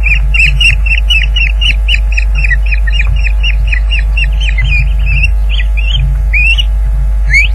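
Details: During a midday fish delivery at the Loch Garten nest, 30 April 2010, an Osprey gives rapid, insistent whistled cheeps that grow louder and more slurred, rising and bending toward the end; recorded by live nest camera over a low hum.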